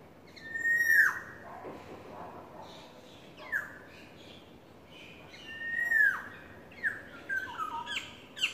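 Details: Courting yellowbird giving loud, clear whistled notes that slide downward, repeated every few seconds, then a quicker run of short chirps near the end.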